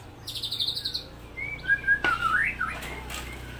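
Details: White-rumped shama of the Supak line performing 'roll tembak' song: a high buzzy note, then quick whistled phrases that swoop up and down, with sharp clicks between them.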